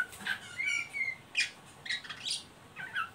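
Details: Oriental magpie-robin giving the ngeriwik call, used as a lure to stimulate young birds to sing: short high chirps and brief whistled slurs scattered over three seconds, fairly faint.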